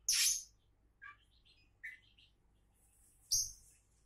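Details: Kacer, the Oriental magpie-robin, named a champion in the making, giving sparse notes: a loud harsh burst, soft warbled chirps, then another sharp burst a few seconds later.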